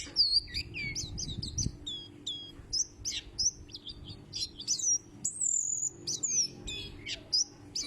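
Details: Loud-voiced white-breasted white-eye, likened to the Sumbawa kecial, sings rapid high-pitched tweets and short thin whistles in quick bursts, with brief pauses between chirp clusters and a faint low hum behind.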